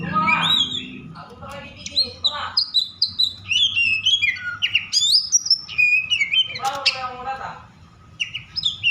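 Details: Over-excited Oriental magpie-robin, used to goad other magpie-robins into song, delivers dense varied whistled phrases with slurred and buzzy notes; a low voice-like sound opens the passage and a faint steady hum runs underneath.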